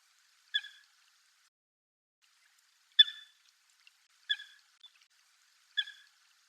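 A Eurasian coot gives four short, sharp, nasal notes at irregular intervals of about one to two and a half seconds, against otherwise quiet surroundings.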